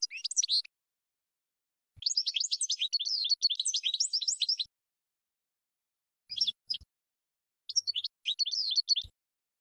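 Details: European goldfinch song used for bird training: bursts of high, twittering, tinkling phrases separated by silences, with a few soft clicks in the pauses.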